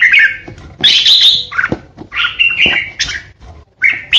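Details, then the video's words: Captive red-whiskered bulbul used as a decoy bird, singing in the harsh 'ché' style meant to intimidate rivals. It gives loud, chattering whistled phrases that jump between mid and high pitch, with sharp clicks between bursts. "Chào mào mồi hót ché đỉnh | Red-whiskered Bulbul | นกปรอดหัวโขน"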